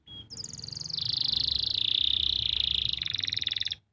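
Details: Training song of a canary from Pati, Central Java, for luring silent canaries and youngsters into singing: a brief thin note, then rapid pulsed rolls stepping downward into a steady buzzy trill, ending in a coarser rattle.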